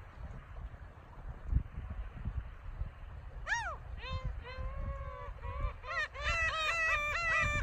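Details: Gulls calling on a sandy beach at Masuho-ga-ura coast near Togi fishing port, Noto Peninsula, Japan, on 5 March 2019. Loud, clear downslurred mewing cries begin after a quiet stretch, then come in a rapid run of repeated, slightly wavering notes over low rumbling surf and wind.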